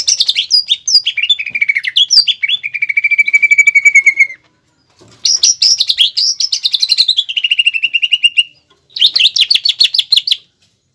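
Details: Caged greater green leafbird in gacor training song with pelatuk bawang fill, the melody contest judges seek: three bursts of rapid rattling trills, each sliding down into a long level whistle, with short silent gaps.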